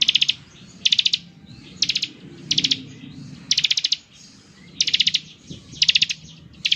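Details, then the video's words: Lively Bar-winged prinia singing ngebren style to make other prinias respond: stuttering bursts of four to six fast high notes, each burst under half a second, delivered nearly every second. "ciblek gacor, suara NGEBREN seperti ini paling ampuh bikin ciblek IKUT nyaut"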